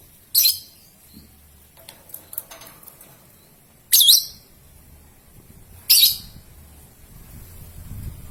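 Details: Pet lovebird, young bird ('paud'), heard in a lure recording meant to prompt long 'ngekek' and 'ngetik' trills: three sharp, shrill chirps near the start, at four seconds and at six seconds, with quiet gaps and faint low rustling between.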